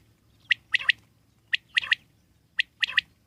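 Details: Wild common quail calling a crisp three-note phrase, a single clipped note then two rapid ones, repeated roughly every second against a quiet background.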